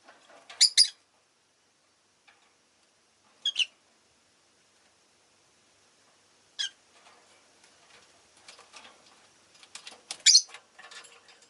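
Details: Several pet rosy-faced lovebirds utter brief piercing squeaks spaced a few seconds apart, then a busier passage of rapid chattering notes and a final loud shriek.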